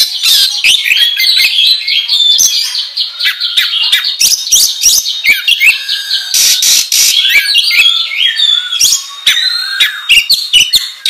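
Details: Oriental magpie-robin (kacer) delivering a nonstop ngobra training song: rapid varied warbling with sharp clicks, buzzy rattles and high whistles, dense and loud across the whole stretch.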